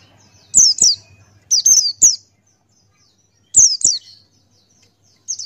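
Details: Buxtoni white-eye, a male performing forest-style song: paired and tripled sharp, downward-slurring high notes, a long silence midway, then another pair and a final note starting.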